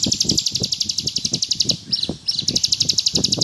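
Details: Ngebrem song of an actively singing bar-winged prinia, meant for tutoring: a dense, high, rapidly pulsed trill with a brief pause midway, over repeated low thudding noises.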